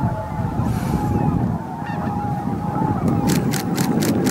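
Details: Greater white-fronted geese pouring into their night roost at Miyajimanuma marsh, Bibai, 11 April 2016, 18:00–18:30, an estimated 15,000 birds. Loud, steady chorus of overlapping honks, with a few sharp clicks near the end.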